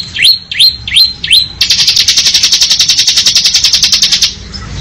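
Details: Bar-winged prinia (ciblek) singing in ngebren style: four quick sharply rising whistles, then a long, fast, buzzy trill of evenly repeated high notes lasting about two and a half seconds before stopping.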